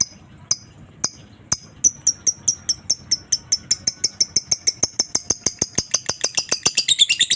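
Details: Lovebird giving a master-style ngetik and ngekek chatter meant to train other lovebirds: a few sparse sharp high ticks, then a string of high chirps that speeds up into a fast, even, repeated rattle.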